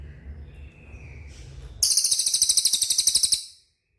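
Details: Cililin training song meant to draw a reply from caged birds: a very high, rapid rattling trill, roughly twenty clipped notes over one and a half seconds, preceded by low background rumble and a faint whistle.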